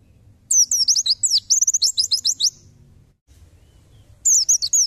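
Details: Pleci (white-eye) in 'tembakan' song, recorded as masteran tutor material for songbirds: a quick run of high, downslurred and hooked chirps for about two seconds, a silent pause, then a fresh burst at the close.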